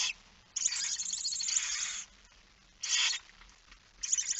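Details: Barn owls at the nest during feeding, night of 10 September 2019, Friesland, Netherlands; a long rasping hiss of about a second and a half, then shorter hisses.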